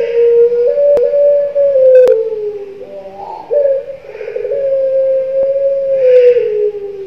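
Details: A young Barbary dove gives a long, low, drawn-out coo that wavers slightly in pitch, with a brief break midway and a few faint clicks.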